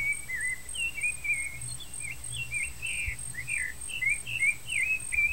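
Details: Rufous-bellied thrush (Turdus rufiventris) chicks in the nest give rapid, squeaky begging chirps, several per second and rising and falling slightly, as the parents feed them, over a steady high insect whine and a low background rumble.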